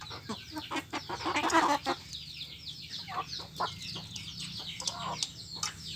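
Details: Crowd of free-range village chickens squabbling over feed, giving a dense mix of quick clucks, chirps and scratchy pecking taps, louder bursts around the middle, many birds calling together.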